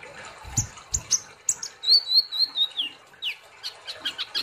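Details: Kolibri ninja sunbird singing gacor and nembak: scattered high squeaks and taps, then a wavering whistled phrase gliding down, followed by quick high chirps.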